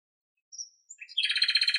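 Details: Singing nightingale in Greek nature: faint high whistles lead into a dense, rapid trill of about a dozen identical notes, loud and clear against silence.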